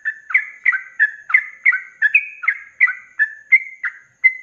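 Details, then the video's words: Sooty-headed bulbul in rapid continuous 'ropelan' style song, used as a training recording for cage birds: bubbly, liquid two-tone phrases rising and falling, repeated roughly every 0.4 seconds without pause, clear and dry with no other sounds. "SUARA ROPELAN BURUNG TRUCUK GACOR"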